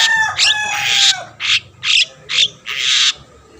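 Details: Long-tailed shrike, a vigorous singer meant to stir rival shrikes to sing; a rough, grating phrase followed by four separate harsh, buzzy bursts spaced about half a second apart, with a faint low hum behind.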